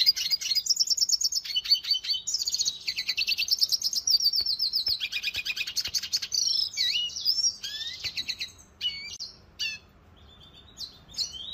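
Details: Red siskin song: a long, dense run of rapid high trills and buzzy twittering that breaks into scattered sharp chirps and sweeping notes, separated by short quiet gaps.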